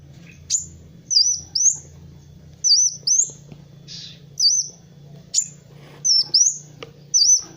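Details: Sunbird (kolibri wulung), used as a training recording for other birds: high whistled notes that sweep up and dip, given in pairs about every one to two seconds, over a low steady hum.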